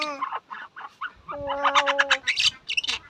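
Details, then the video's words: A myna (shalik) gives nasal, harmonic notes, one long level drawn-out tone, overlaid by rapid rasping chatter, with a low background hum. "শালিক পাখির ডাক The call of the Shalik bird"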